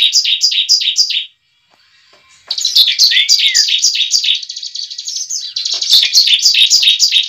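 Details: Lure recording of a bar-winged prinia fighting song for stirring a new bird to sing: bursts of fast, high, rhythmic chirps, a quiet gap, then a long run of dense repeated notes with a brief buzzy trill.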